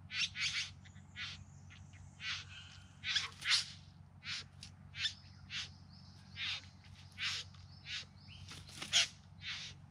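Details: Courtship display of a bowerbird in the Yarra Valley outside Melbourne, September 2020: scratchy, buzzy bursts at an uneven pace, mixed with thin whistled notes and brief chattering, against a constant low background hum.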